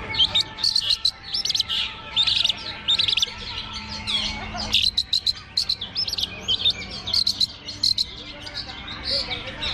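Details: Long-tailed shrike competing at a singing contest, perched above the hanging stand: repeated bursts of sharp, high chirps and chatter in quick clusters, steady low hum behind.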